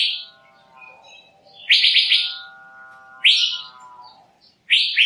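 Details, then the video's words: Asian fairy-bluebird: short bursts of rapid, sharp chirps separated by pauses, over a steady low harmonic tone that persists through most of the recording. "Tiếng chim Thanh Lam(Chim Lam) | The sound of the bird Irena puella"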